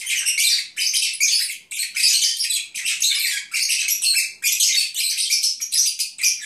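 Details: Drowsy pet Agapornis lovebirds keep up an unbroken, scratchy, high twittering chatter with rhythmic swells in loudness roughly every second.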